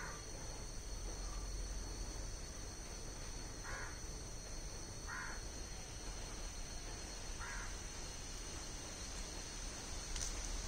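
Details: Malabar grey hornbill giving three short, harsh, crow-like croaks spaced about one to two seconds apart, over a steady high insect hum and faint distant bird notes.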